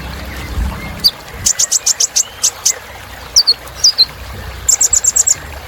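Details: Kolibri ninja song meant to excite other birds: groups of five or six piercing high chips alternate with paired thin downslurred whistles, with some low rumble near the start.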